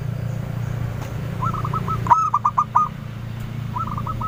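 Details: Local female zebra dove lure bird with a clear voice, which provokes many replies; softer rolling coo phrases from another dove on either side of its loud sharp note and rapid staccato coos, over low hum.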